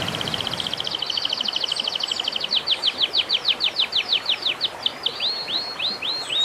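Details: Bird song for training birds during and after moult: a rapid rattle of high notes that slows into evenly spaced, steep down-slurred whistles. Later these become short rising notes, with light background hiss.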